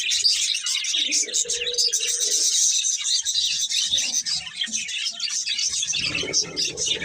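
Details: Chattering budgies, a pair, pour out thin high chirps and raspy warbles nonstop; a brief low hum sounds early on and a low rumble comes near the end.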